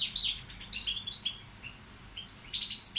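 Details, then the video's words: Balcanica European goldfinch tutor bird giving broken, quieter song phrases: short high twittering notes and brief chirps in scattered bursts separated by gaps, with a faint background hiss. "Carduelis balcanica učitelj... Izbrojite mu ture"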